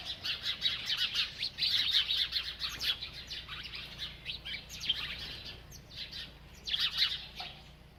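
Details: Chirping bird while eating: dense, busy high twitters pack the first three seconds, then come as scattered bright chirps and a final burst.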